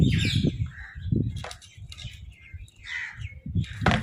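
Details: Crows fighting over food, giving food calls: harsh, buzzy caws in short irregular bursts, with scattered chirps from other birds and low rumbling handling noise throughout.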